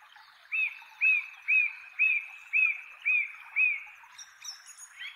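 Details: Male song thrush giving its characteristic treetop song from a chestnut tree in inland Kapiti, New Zealand, repeating one clear, slurred note that rises and falls seven times at about two per second, with fainter, higher bird calls at the end.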